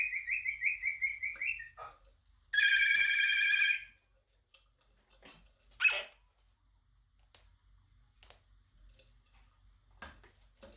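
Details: Female pet Moluccan cockatoo mimicking household noises for fun: a quick run of evenly spaced electronic-style beeps, then a loud buzzy phone-like ring of about one and a half seconds, and later a single short harsh note in a quiet room.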